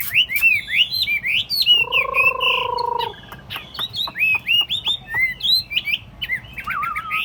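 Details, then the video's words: Tame Chinese hwamei caged on a table: lively, rapidly changing whistled phrases and chirps, broken by a flat buzzy drone of about a second, then a quick twittering run. "Thuần tít xách tay đặt bàn, không tật lỗi. 夜莺之歌, นกไนติงเกล, burung, bulbul."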